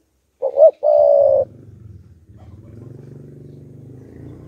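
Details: Spotted dove used as a decoy to provoke wild doves gives two short rising notes and one long steady coo, followed by a low rumbling hum that continues to the end.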